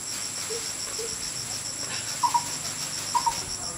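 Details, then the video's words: A lesser coucal (Centropus bengalensis) gives short, hollow paired notes, twice about a second apart, over a steady high insect drone. "Burung Bubut Alang-alang (Centropus bengalensis) atau Lesser Coucal"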